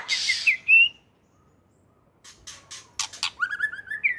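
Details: Aceh white-rumped shama, Indonesia, singing a harsh hissing note into a rising whistle, silence, then clicks, rasps and a chain of quick whistled notes climbing at the end.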